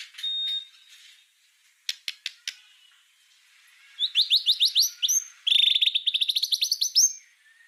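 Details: White-rumped shama song used as a master recording for tutoring other songbirds, full of rapid bursts: a thin whistle, a few sharp clicks, then fast runs of rising chirped notes repeated in quick trills.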